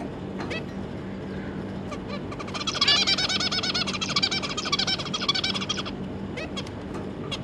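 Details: Two adult zebra finches and their three juveniles, 25 July 2022: a few sharp isolated call notes lead into a loud burst of rapid, buzzy, nasal song notes lasting about three seconds, then sparse calls again over a faint constant background hum.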